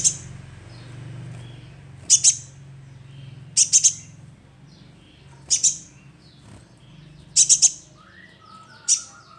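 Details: Young sunbird calling as a lure bird: clusters of two or three shrill, very high chips spaced irregularly, roughly every one and a half to two seconds, with faint lower notes and low hum.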